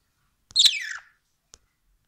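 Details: A pet budgerigar gives one short, harsh, buzzy chirp that slides downward from a high pitch, followed by a faint click in a quiet room.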